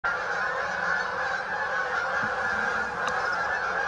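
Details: A flock of Canada geese at St Anne's Lagoon, many birds honking at once in a dense, unbroken chorus with no gaps.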